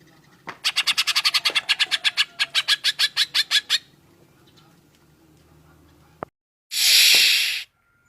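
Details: Green leafbird delivering rough cucak jenggot (grey-cheeked bulbul) style bursts: a long, rapid series of harsh chattering notes for about three seconds, then quiet, a click and a loud noisy rush.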